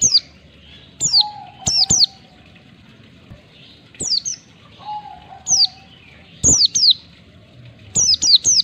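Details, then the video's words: Oriental white-eye (pleci) in ngalas style with one or two beats, recorded for training caged birds: crisp high chirps dropping in pitch, mostly in pairs, repeated every second or so, with brief faint low tones. "Masteran pleci bahan biar cepat ngalas pleci ngalas 1 2 ketukan"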